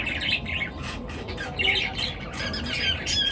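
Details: A morning chorus of birds giving harsh, squawky chirps in uneven, overlapping bursts with hardly a pause, above a low background hum.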